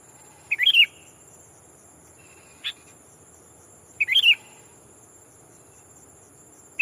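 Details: Sooty-headed bulbul used as a decoy, calling a rival to draw in wild birds: a short, chuckling, fluty phrase repeated twice roughly three and a half seconds apart, a single sharp chip between them, under constant high electronic hiss.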